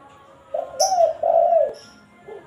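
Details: Spotted dove lure call used to call a rival: a soft phrase of three mellow, low coos, the middle one longest and gently falling, lasting just over a second, with a faint extra coo trailing afterwards.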